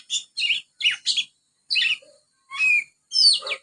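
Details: Young Oriental magpie-robin practising ngriwik with sparrow-like notes: short, scratchy chirps in pairs, a soft low note, then slurred whistles ending in a downward sweep.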